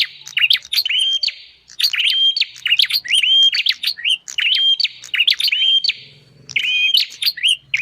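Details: Lure recording of a bar-winged prinia to attract wild birds: dense, almost continuous chirping of clicks and rising whistles, with only brief breaks across the passage.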